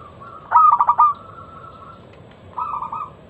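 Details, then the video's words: Local zebra dove giving a loud, clear lure song meant to set other zebra doves singing: a burst of rapid staccato cooing notes, then a softer, shorter reprise about two seconds later over a steady low hum. "Masteran pancingan burung perkutut lokal suara Lantang kristal"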